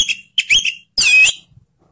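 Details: Orange-headed thrush song used to prompt silent thrushes to sing: two short bursts of bright, harmonic whistled notes around a high pitch, then a longer buzzy, warbling phrase, with brief silence between.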